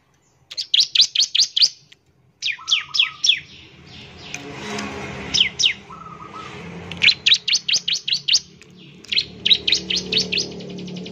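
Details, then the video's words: Bar-winged prinia (ciblek semi) in song used to lure other birds into singing. Fast groups of five to eight piercing chips come in waves, with a brief low trill and faint background murmur. "ciblek semi gacor, memancing ciblek semi cepat bunyi"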